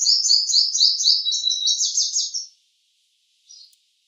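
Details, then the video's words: Purple sunbird sings a fast, high, buzzy trill of repeated twittering notes for over two seconds, followed by a brief high chirp. "Song of Purple Sunbird"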